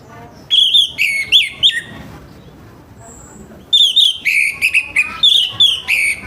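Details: Orange-headed thrush song in the morning, played to stimulate other birds: loud bursts of clear whistled, downslurred notes with harsh edges, two phrases separated by a quiet gap.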